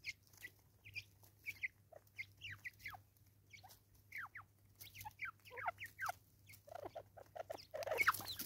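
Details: Raucous Natal spurfowl calling in South Africa: clear separate harsh notes sliding steeply downward, given in loose groups of two or three, speeding into a louder jumble at the close, over a low hum.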